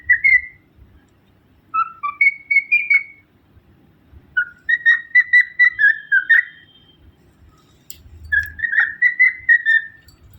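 A cockatiel whistles in short bursts of clear, warbling notes that rise and fall around the mid-high range.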